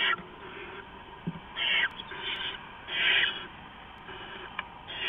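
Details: Owls at a nest before dawn, 4:31–4:40 AM on 15 November 2015, as an adult flies in and out bringing rats to the owlets; three harsh, breathy hissing bursts, each under half a second, over steady background hiss.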